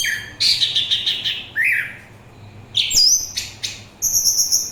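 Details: Orange-headed thrush singing a varied, loud phrase sequence: a rapid trilled run, a descending slur, then high sharp whistles and thin upper notes after a brief pause.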